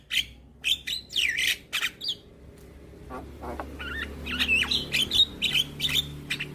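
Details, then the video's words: Young Javan myna singing vigorously with nodding head, opening with harsh squawky notes, then a quieter gap, then a quick run of short whistled and scratchy chirps. "Kicauan Jalak Kebo Muda Gacor Manggut2"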